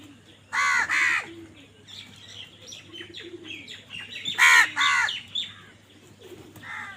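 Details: Crows fighting for food give loud, harsh, hoarse caws in two paired bursts, each pair about half a second apart, with thinner chirps of smaller birds and a faint low hum between.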